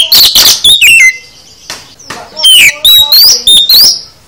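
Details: Kacer (oriental magpie-robin) full isian song for prompting other kacer: a dense opening flourish, a steady held whistle, then bright rising and falling whistled phrases in quick succession.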